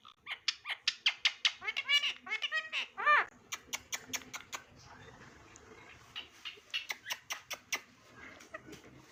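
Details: Indoor pet Indian ringneck parakeet saying "Mitho Bete": fast strings of short nasal, harmonic syllables in bursts, with crisp clicks between them, a pause of faint chatter, then another quick series of sharp notes.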